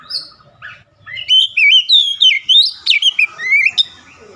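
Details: Oriental magpie-robin, a stressed bird recovering and singing vigorously: loud, clear whistled phrases with rising and falling slurs and sharp upward sweeps in quick succession after a quiet start with faint low murmur.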